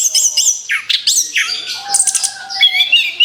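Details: Brief stretch of orange-headed thrush song used as a lure for other birds, with quick swooping whistles, harsh squeaky notes and buzzy high chirps tumbling together.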